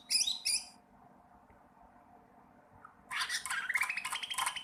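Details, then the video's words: Sooty-headed bulbul learning to sing: two sharp chirps, a long quiet gap, then fast scratchy chatter with a faint rising whistle. "cucak ranting trotol belajar bunyi"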